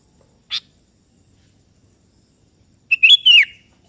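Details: Kutilang kebo, or sooty-headed bulbul, singing actively to call a rival, which joins in: a brief sharp chip, then after a pause a bright three-part whistled phrase ending in a falling slur.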